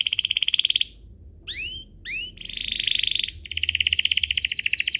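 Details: Canary singing as a prompt for other canaries: a rapid high trill, two rising upswept whistles, then a buzzy roll and a steady fast pulsed trill.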